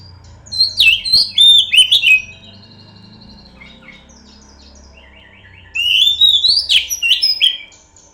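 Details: Kacer, the oriental magpie-robin, in a pancingan lure song: a burst of rich whistled and chattering notes, a long near-silent gap with faint low background hum, then a second bright, rising, warbled phrase.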